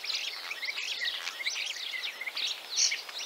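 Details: Common Starling song from Central Russia, a continuous jumble of warbled, twisting squeaks and chattering notes without pauses.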